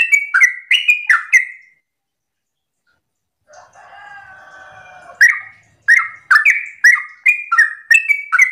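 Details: Morning 'ropel' song of a lively yellow-vented bulbul, played to coax other bulbuls into singing back. Quick runs of liquid, warbling notes are broken by a brief gap filled with a softer, buzzy, harmonic sound, then the rapid bubbling phrases resume.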